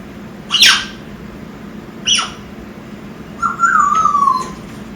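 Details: Young African grey parrot, a six-month-old pet, making noises indoors: two short harsh squawks, then a drawn-out whistle that rises slightly and falls, over a low steady room hum.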